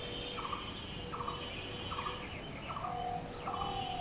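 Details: Repeated throaty notes of a Blue-throated barbet, known locally as bosonto bouri, five evenly spaced phrases in four seconds, alongside thin high twittering from other birds and a faint steady tone.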